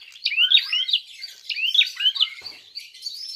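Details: Prinia fighting call to provoke rivals: a fast chatter of sharp, rising chirps repeated in quick succession, tailing off into thinner high notes.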